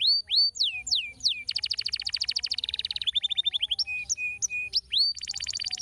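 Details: Canary song meant to stimulate other canaries to sing: clear whistled downslurred notes, then a long rapid buzzy trill, a lower repeated trill, short chips and a final bright rolling trill, loud and varied.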